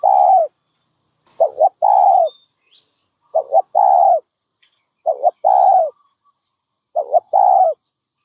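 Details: Dove cooing: a quick doubled low note followed by a longer, steady hoarse coo, the phrase repeated roughly every one and a half to two seconds with silent gaps between.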